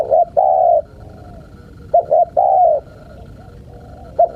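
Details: Spotted dove, a recording to tease wild birds. A long coo is followed by a phrase of two short coos and a sustained coo, then a pause and another short coo begins. A faint steady tone hums in the background.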